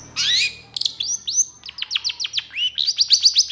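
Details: Long-tailed shrike in energetic, emotional song with long bursts: high whistled upslurs and sweeping notes, then a fast run of sharp descending chirps about four per second, ending in rising whistles.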